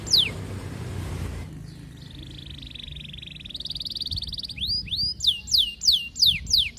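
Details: Canary singing to court a female, used to draw other canaries into song: a noisy start, then a long buzzy trill, followed by a series of sharp falling whistles.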